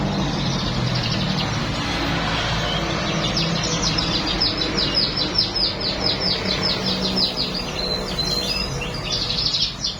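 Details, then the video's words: Baya weaver song with learned canary phrases: after a quiet start, a rapid string of high chirps runs for several seconds, ending in twittering and buzzy notes, with steady low rumble of noise behind. "Kicau burung Manyar isian kenari"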